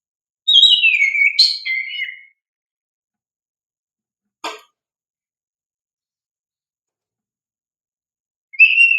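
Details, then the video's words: Oriental magpie-robin in energetic song, used to coax young birds into singing: one rich descending whistled phrase with chattering notes, a brief sharp click, then the start of another whistle after long silence. "Pancingan Kacer GACOR"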